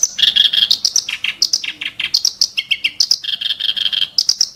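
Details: Ashy tailorbird song of sharp, coarse bursts: rapid, varied chirps and rasping notes packed closely together, switching pitch constantly with no long pauses.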